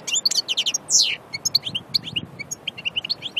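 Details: Wild European goldfinch at Aïn Barbar, Annaba: crisp, bouncy high chirps in quick series, with a brief rasping buzz near the start, against a quiet background.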